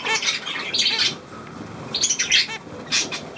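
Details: Budgerigar calls from 9 February 2024: short bursts of scratchy, high chirping and squawks separated by quieter gaps.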